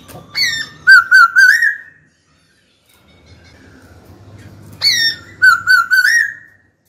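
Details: White-cheeked laughingthrush, a caged songbird, sings to call a rival to battle: a rising whistle and a quick string of warbled notes, a silent pause, then the same phrase repeated.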